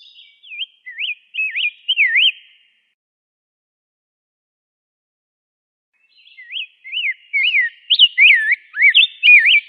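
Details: Rose-breasted grosbeak with a short burst of wavering whistled notes, a pause of several seconds, then a longer, busier stretch of rising and falling warbles.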